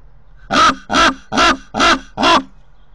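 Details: Common raven visiting a nest in Corbera de Llobregat, Barcelona, recorded by a nest camera. Half a second of quiet, then five loud, hoarse croaks spaced evenly.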